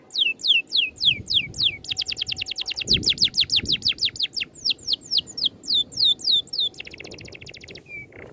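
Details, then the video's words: Rolling birdsong used as a tutor recording: fast repeated falling whistles, a long run of rapid sharp notes, more looping slurred whistles, a brief buzzy trill and a short clear note at the end, with low rumble beneath. "MASTERAN BURUNG NGEROL RAPAT TEMBAKAN RAPI"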